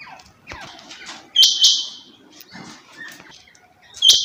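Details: A female rain quail gives a harsh, noisy, buzzing burst with a clicking start, then another at the very end, separated by faint scattered chirps and rustling.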